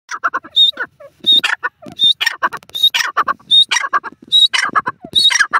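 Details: Francolin calling in a forest. Loud, harsh, chattering bursts come in a quick rhythmic series about every 0.7 seconds, and each burst carries a clear, high, whistled note.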